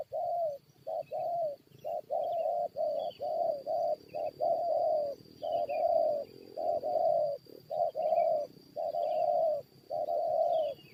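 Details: Spotted dove luring session with wild birds ready to fight: a long steady run of hoarse coos, short and long notes evenly spaced, nearly once a second, over a high whine and scattered faint small-bird chirps.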